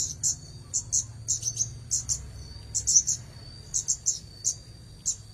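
Red-headed Bunting giving high, sharp chirps in quick bursts, about two a second, over a thin steady whine and a low background hum.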